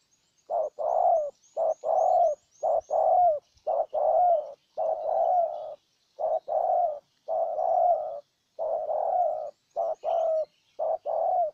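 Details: Decoy spotted dove in Ninh Thuận, Vietnam, luring a wild bird with steady repeated cooing: a long run of low paired notes, a brief coo then a longer rolling one, about once a second. Faint high twittering early on.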